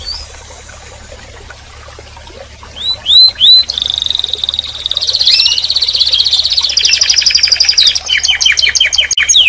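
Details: After a quiet start with a few soft rising chirps, a canary launches into loud, rapid, rolling trills that shift through several speeds and end in a series of chopped, repeated notes.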